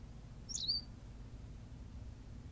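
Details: A single bright, high-pitched chirp from a Berthelot's pipit, recorded on La Gomera in the Canary Islands, a brief squeaky note with a short trailing slur, then quiet low background hum.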